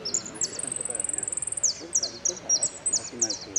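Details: Saffron finch delivering an "El Cristalino" style song built from prio, golpe and pitadas: piercing high whistled notes, a fast even trill of rapid pulses, then spaced, emphatic chirps repeated several times a second, with faint voices underneath.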